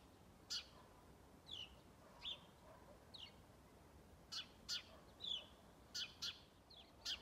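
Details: A lone house sparrow on Strömgatan in Haga, 21 December 2022, calling forcefully: loud abrupt chirps mixed with softer downward-slurred notes, roughly ten in seven seconds, some doubled, over quiet background noise.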